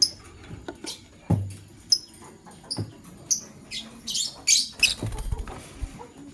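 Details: Male lovebird choosing a partner: scattered piercing chirps that build into a quick run of harsh, shrill calls, over knocks and rustling.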